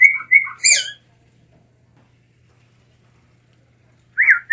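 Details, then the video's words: Blue mockingbird song: a few short whistled and slurred notes near the start, then a long silence before two more rising-falling phrases at the end; faint low hum underneath. "Mulato Azul Canto - Blue Mockingbird Bird Song - Melanotis Caerulescens"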